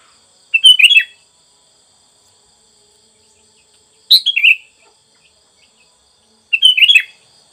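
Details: Sooty-headed bulbul (kutilang), used as therapy/lure sound: three brief, bubbly phrases of quick tumbling notes a few seconds apart, with quiet pauses and a faint steady high hiss between.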